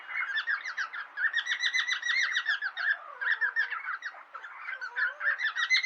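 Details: Cockatiels kept as pets squabbling playfully, a steady stream of scratchy, warbling chatter notes in rapid clusters, with a few lower slurred notes in the middle.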